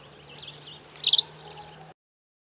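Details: Cape sparrow (Passer melanurus) giving one loud, high, scratchy chirp, preceded by softer twittering, over a faint low hum.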